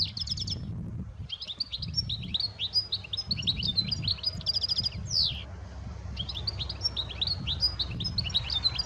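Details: European goldfinch (Carduelis carduelis), song.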